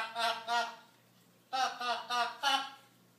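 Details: Pet blue-and-gold macaw indoors, in its own version of singing: a series of short, nasal, honking notes, two together, then a pause, then four in a row, each note rich and slightly wavering.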